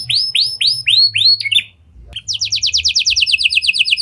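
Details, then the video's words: Canary performing lovebird and prinia-style song to get other canaries singing long; loud arched whistles repeated evenly, a short gap, then a fast run of descending trilled notes. "Kenari Gacor Cengkok Lovebird & Prenjak! Ampuh Buat Pancingan Kenari Lain Agar Gacor Panjang"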